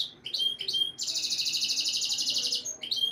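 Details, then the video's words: Canary song played to boost females' mating instincts: a few sharp whistled notes, then a steady high, rapidly pulsing roll of nearly two seconds, ending in chirps. "Canary Breeding Conditioning Audio — Boost Your Female’s Mating Instincts"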